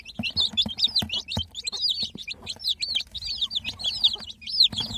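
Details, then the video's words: Crowd of baby chicks giving loud, high, piercing peeps, each note sliding up then down, packed closely together with light tapping in the background. "Baby "Chicks Chirping" Sound"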